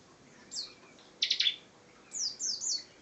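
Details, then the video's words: Bar-winged prinia (ciblek) singing actively in the ngebren style: a high descending slur, a quick burst of three sharp notes, then three thin, high descending slurs in close succession. "Ciblek Gacor Ngebren"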